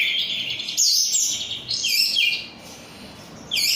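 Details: Oriental magpie-robin kept as an untrained songbird, called 'rudal korea', delivering loud high whistled phrases and shrill slurred notes, a brief quieter gap, then a sharp rising whistle at the end.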